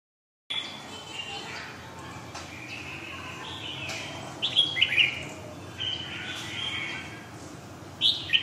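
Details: Red-whiskered bulbul singing in the Hue long-voiced style: clear whistled phrases, several slurred and dropping notes spaced a few seconds apart, with a brighter warbled burst near the end, against faint background hiss.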